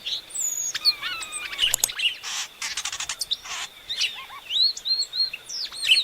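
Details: Inhapim, or Epaulet oriole, sings descending whistled notes, rapid clicks and rasping bursts, then a string of looping upslurred whistles, with a steady thin high whine underneath.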